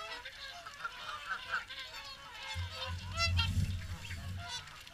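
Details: Morning swan feed at WWT Caerlaverock: a chorus of ringing, nasal honks from many birds, with a deep rumbling gust in the second half.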